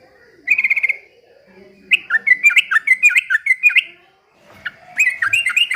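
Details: Yellow-vented bulbul in top singing form, imitating a white-rumped shama: a short rattled trill, then a run of loud whistled notes slurring up and down. A faint low murmur sits underneath, and a further burst of varied whistles follows.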